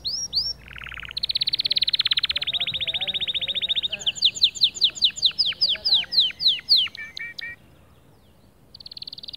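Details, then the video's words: White male canary singing to motivate other birds: short descending whistles, then a long rapid buzzy trill, then a run of repeated downward-sweeping notes, ending with another fast trill after a brief pause. "أفضل 8 دقائق تحفيزية ذكر كناري خرافي"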